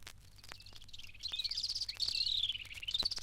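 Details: In East Africa, Hunter's Cisticolas sing a duet: males give the fast, high, rolling trill and females fill in a three-note call, growing louder and denser over the final two seconds, over a faint low hum.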